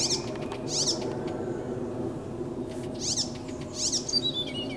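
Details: Icterine warbler (Hippolais icterina) singing on 15 June 2023: four harsh, chattering bursts about a second apart, ending in a few thin high whistles, over a steady low rumble.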